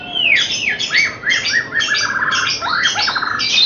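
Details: Young white-rumped shama of Bahorok lineage from a breeding farm, being trained before entering singing competitions: fast varied song of downslurred whistles and rapid chattering notes, loud and continuous.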